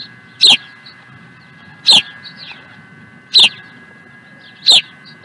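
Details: Four piercing high chirps from an osprey at Dunrovin Ranch, recorded 16 April 2020, evenly spaced roughly one and a half seconds apart, with soft fainter notes between them and a low constant hum.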